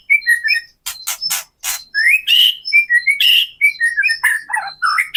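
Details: Kretekan song of the white-rumped shama used to stir other birds' fighting spirit: loud crackling bursts mixed with varied whistled notes and short rising slurs, delivered in quick succession.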